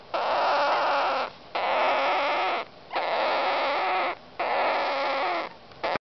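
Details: Young pet Indian ringneck parakeets, which sound like kittens but turn harsh when the owner coughs, give harsh, raspy bursts, each about a second long and repeated with short pauses.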